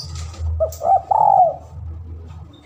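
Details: A spotted dove calling out to a rival, lure recording: one phrase of two brief stuttering notes leading into a long, smooth, slightly falling coo, with low background hum.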